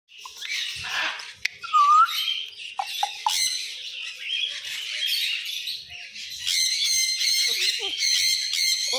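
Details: A grey parrot (African grey) keeps up harsh chattering squawks, with one clear rising whistle early on and a run of nasal, buzzy calls near the end.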